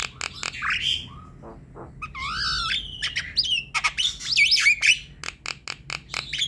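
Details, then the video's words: Javan myna chattering song used to coax a silent myna to sing: slurred squeaky whistles, wavering warbled phrases and scattered sharp clicks over a faint low hum. "Jalak kebo gacor ngoceh manggut²~Coba ini..Untuk pancingan jalak kebo diam malas bunyi"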